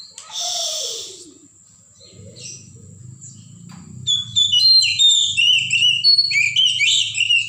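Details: Oriental magpie-robin, a wild forest bird: a brief harsh burst opens, then near quiet with a low background hum, before a quick varied series of sharp whistled and chirping notes fills the last half.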